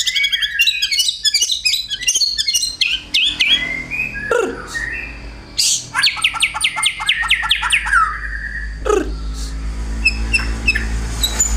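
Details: Male white-rumped shama, a kept songbird, pouring out learned material that imitates fighting sparrows: dense rapid chatters, sharp chips and rising and falling whistled phrases in quick bursts, with brief pauses and a low hum behind.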